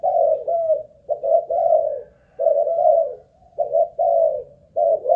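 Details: Malaysian-line spotted dove kept caged as a ground lure, tested for cooing stamina; four drawn-out, burry coo phrases, some with a slight upward lilt, separated by short pauses.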